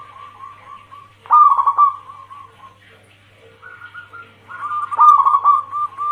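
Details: Zebra dove, a calling female luring the male (local and Bangkok crossing cemani perkutut): soft short coos, then a loud vibrating rolled phrase, a quiet gap, and another rising run ending in a strong burred burst, steady hum throughout.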